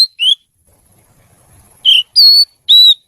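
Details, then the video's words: Caged oriental magpie-robin (kacer) giving a few separate clear whistles, downslurred and level, spaced by a quiet gap. "Suara Kicau Kacer Gacor Merdu"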